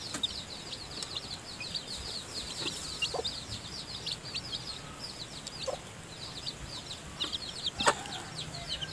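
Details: Newly hatched chickens still in the nest, being fed by the hen; many chicks peep continuously in high, short, falling notes, with an occasional soft tap or knock standing out.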